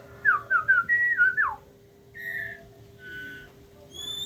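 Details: Captive-bred White-rumped Shama of the Aceh type while a parent feeds its young; a run of about six loud whistled, warbling notes rising and falling over a second and a half, then softer steady whistles and a faint high tone.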